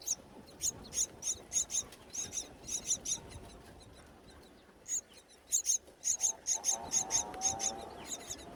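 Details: Hungry myna chicks beg as their mother returns with food to a natural nest high on a tall palm tree in breeding season; bursts of thin, high, raspy chirps, rapid and repeated, pausing briefly midway over a low murmuring background.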